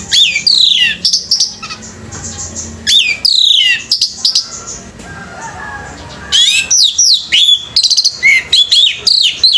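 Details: Male orange-headed thrush in competition pouring out rich, varied song: quick down-slurred whistles and high chattering phrases in fast bursts, with a softer pause midway before another energetic run.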